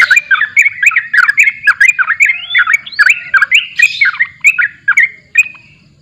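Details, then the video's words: A sooty-headed bulbul sings a fast, bubbly run of liquid, slurred notes, each rising and falling, tumbling along with hardly a pause. "TRUCUKAN GACOR"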